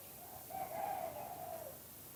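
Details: Spotted dove singing in the two-kuk-hoi style; one soft, drawn-out low coo with slightly wavering pitch, heard over a steady background hiss.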